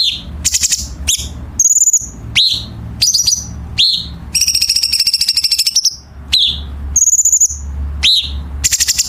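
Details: Chinese bulbul song for training competition birds, featuring sharp, dense rasping fill: rapid falling chirps, thin rattling trills and a long coarse buzzing rattle in the middle, low hum throughout.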